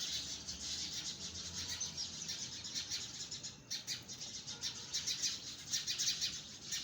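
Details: Birds chirping in trees, a dense, continuous wash of high, thin chirps and tweets with fluttering bursts, some faint low background rumble.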